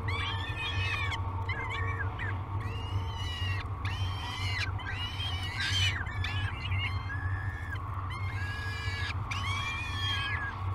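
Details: Peregrine falcon chicks waking for breakfast at a nest at Great Spirit Bluff, filmed by a live nest camera on 22 May 2020; repeated high, harsh, downslurred wailing calls in bursts, over steady low background hum.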